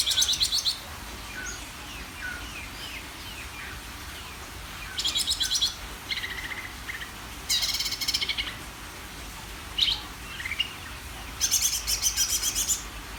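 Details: Greater green leafbird singing: loud bursts of rapid, high chattering notes around half a second to a second long, separated by gaps holding softer, scattered slurred whistles.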